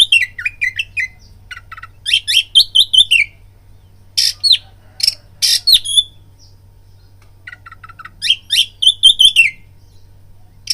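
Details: Lure song of an Oriental magpie-robin meant to trigger fighting: varied high whistles, trills and sharp clicky notes in three bursts with quiet gaps, low hum throughout.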